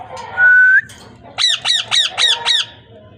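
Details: Parrot voice: a steady flat whistle, then five rhythmic harsh arched squawks in quick succession, with low background hum.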